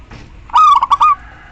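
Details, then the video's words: One call from a female local zebra dove summoning the male, used as a lure for males that will not sing: a rich, harmonic coo that breaks into short stuttering notes and ends on a sustained tone. "perkutut lokal betina memanggil JANTAN"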